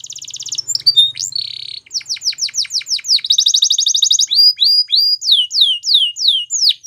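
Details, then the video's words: Canary singing a varied song: a brief trill and steady whistle, a run of fast downward sweeps, a dense rattling trill, then slower loud descending whistled slurs. "Canaries Singing"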